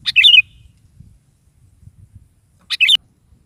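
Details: Morning song of a sooty-headed bulbul, meant to draw a reply from a pet bird: two gurgling, fluty phrases about two and a half seconds apart, with soft low rumbling in between.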